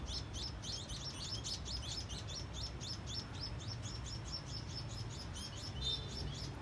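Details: Free sparrows on a house rooftop in Saigon on 3 December 2022 give a steady run of high, short chirps, several each second, over a low rumble of distant city noise.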